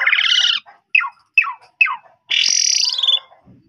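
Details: Asian pied starling (jalak suren) singing loudly, used as a lure so untrained starlings reply. Grating harsh notes, three quick falling chirps, then one long rasping squawk.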